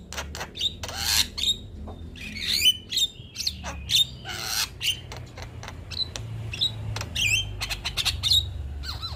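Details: Harsh, rasping bursts from a male Javan myna, broken by sharp clicks and brief bright whistles, delivered in an irregular, busy stream over a faint low hum.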